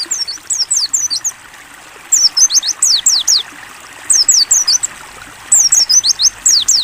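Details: Mountain white-eye singing in the ngalas style, used as a training recording with flowing water added: bursts of high, thin, rapid descending whistled notes in quick series, separated by short pauses, over a steady trickling water background.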